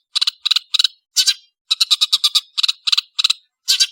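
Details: {'text': 'Cendet, or long-tailed shrike, giving clusters of short harsh ticking notes in groups of two to five, separated by short gaps, with one longer rasping note in the middle.'}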